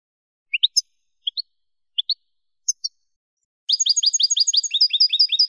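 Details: Spanish European goldfinch song used to teach young birds: scattered paired rising chirps, then a fast, dense run of bright twittering notes repeated rapidly in a high-pitched tumbling stream, with no background noise.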